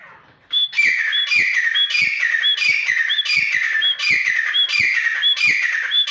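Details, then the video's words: Grey francolin (desi teetar) calling loudly and steadily after a brief quiet start: harsh, ringing phrases repeated about every two-thirds of a second, each with a bright whistled high note, nine phrases in a row. "Top Class Desi Teetar Sound"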